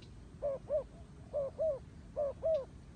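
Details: Turtle dove cooing: three pairs of soft, mellow coos, each pair two hooting notes close together, spaced roughly a second apart over a quiet, faintly noisy background.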